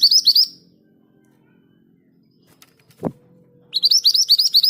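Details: Scarlet minivet, known locally as mantenan gunung, singing in the rolling ngerol style at a steady speed: two bursts of rapid, high, rising chirped notes, one at the start and one near the end, with a single knock and quiet between.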